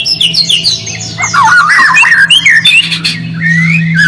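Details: White-rumped shama lure to stir quiet shamas: quick jumbled high whistles and twittering, then wavering mid-pitched warbled phrases, with a steady low droning hum throughout.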